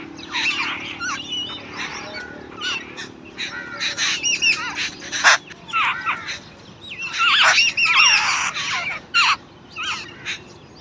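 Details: Nestlings calling while their mother feeds them: clustered high chirps and curling squeaky notes pour out in uneven bursts, the loudest flurries around the middle and late part, with several young calling at once.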